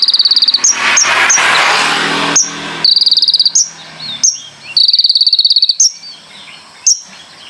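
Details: Konin song with fast rattled high trills and quick sharp chips. A loud rushing noise burst covers the first seconds before the trills resume, spaced by short pauses.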